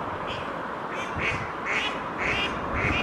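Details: At Oksywie on 2 April 2021, a female mallard from two pairs gives a short run of about five rasping quacks, slightly uneven in spacing, over steady background hum.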